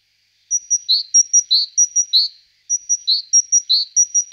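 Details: Great tit (Parus major) singing: a thin high note followed by a fuller, lower note, the pattern repeated in a regular seesaw rhythm. Two bouts with a brief gap between them.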